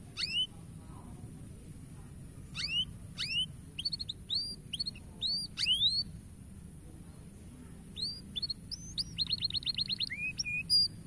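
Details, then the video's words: Canary singing to encourage young canaries; sparse sharp whistled notes and short hooked phrases spread out with pauses, then a quick even trill near the end, over a low steady hum. "Cuitan Burung Kenari Memberi Semangat Kenari Paud Untuk Gacor Dor"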